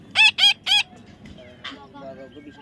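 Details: A baby parrot being tamed lets out three loud, grating squawks in rapid series, then a brief hoarse note and faint softer chatter against low rumbling background noise.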